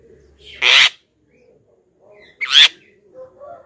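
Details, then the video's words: Black-winged myna calling to lure wild birds in: two loud, harsh, screeching bursts about two seconds apart, with quiet background between them. "suara JALAK KEBO pikat"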